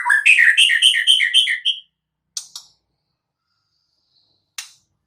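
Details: Wild white-rumped shama delivering a fast, loud series of repeated rhythmic chirping notes, about eight in quick succession, followed by scattered sharp ticks.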